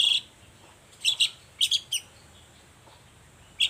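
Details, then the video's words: Long-tailed shrike, recorded singing energetically in the morning as a lure for other shrikes: sparse, harsh, squeaky notes, a double note, another double and a single, separated by quiet gaps. "Suara cendet gacor Pagi Hari pancingan jitu BIKIN cendet diam langsung nyaut ikutan bunyi"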